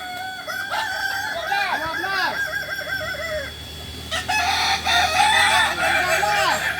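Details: Kokok Balenggek roosters training together in Ampang Kualo, Solok, West Sumatra: a string of arched, bouncing crow syllables, then louder overlapping crows from several birds with a few sharp knocks.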